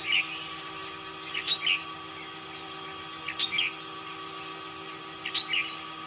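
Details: Red-whiskered bulbul at morning singing practice, giving short bright chirped phrases of two or three notes, repeated roughly every two seconds over a steady low hum.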